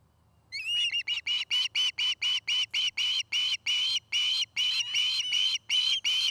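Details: Nesting osprey at Charlo, Montana, recorded by a camera at the nest in the afternoon: after brief quiet, a burst of rising whistles gives way to a brisk, regular string of bright chirped notes lasting several seconds.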